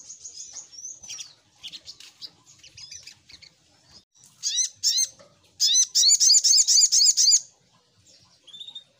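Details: Sogok ontong lure song: soft twittering at first, then a loud run of quick, repeated, sharply rising chirps near the end, followed by a faint short whistle.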